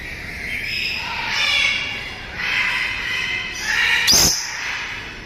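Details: Harsh, nasal squawks from a dusky lory kept for breeding, in several long grating bursts one after another, with a single sharp knock near the end.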